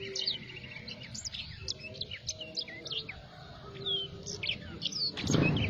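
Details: Black-throated canary singing in energetic 'gacor' style: a rapid run of high, thin chirps, short whistles and buzzy notes over a low steady hum, ending with a loud broadband burst of noise.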